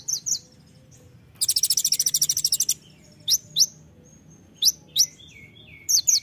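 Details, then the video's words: Gacor olive-backed sunbird, called kolibri ninja, giving a dense fast trill of high buzzy notes lasting over a second, surrounded by isolated sharp rising chirps and thin soft whistles in a tembakan-filled masteran song. "masteran kolibri ninja (konin) gacor isian full tembakan"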